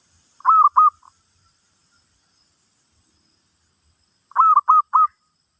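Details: Zebra dove song played in a session for teaching a new bird: two bursts of three short cooing notes, each with a rising then level tone, the groups about four seconds apart, in a quiet setting.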